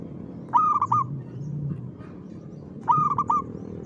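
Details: Perkutut, the zebra dove, in lively rhythmic song: two short phrases of quick, soft rolling coos about two and a half seconds apart, with a faint low hum underneath.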